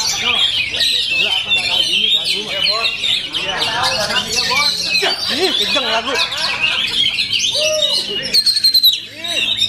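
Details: Oriental magpie-robin singing at full power with full fill-ins: a dense, continuous stream of rapid whistles, chirps and buzzy trills, mostly high-pitched, with lower looping notes mixed in. The song carries on without pause for the whole stretch, with a brief dip near the end.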